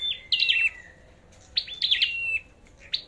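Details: Flowerpecker singing in competition: rapid high chip clusters sliding down to level whistled tails, two main bursts separated by a short pause.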